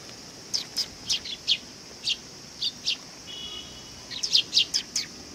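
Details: Sparrows gathering to be fed, Tenmangu shrine, 18 August 2020: clusters of two to five quick, bright chirps separated by brief gaps, with the last cluster louder and more crowded.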